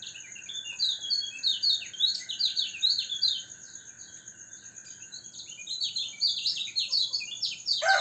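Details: Yellow white-eye set out for morning dew-airing to keep it healthy and singing strongly: rapid, high, jumbled twittering warbles in two long bursts with a brief lull, over a steady thin high-pitched whine and a lower constant tone.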